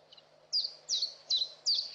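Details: Nestling Saker falcons on a Hungarian webcam nest, 11 May 2012, giving loud, piercing, downward-slurring squeals about every third of a second, four in a row after a faint first note, with low background hum.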